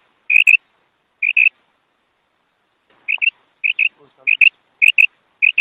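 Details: Paired high notes from a female quail, two pairs, a gap of over a second, then a steady run of five more doubled calls.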